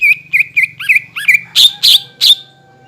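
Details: Brief greater green leafbird lure phrase for prompting other leafbirds to reply: five quick looping whistles followed by three louder, harsher high notes, then quiet.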